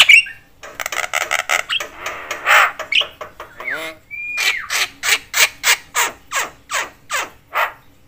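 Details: Javan myna chattering loudly, said to make other mynas agitated: dense harsh grating calls, a few whistled slides, then a regular series of rasping notes about three per second.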